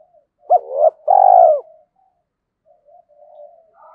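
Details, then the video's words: Spotted dove kept as a decoy, calling in the 'giọng thổ' style to provoke wild birds: a quick hooked note, a short swelling coo, and a long steady falling coo, followed by faint low murmurs. "Chim Cu Mồi, cu gáy giọng thổ kích bổi"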